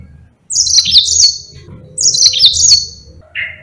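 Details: Yellow-fronted canary; song; used as a model song for training other birds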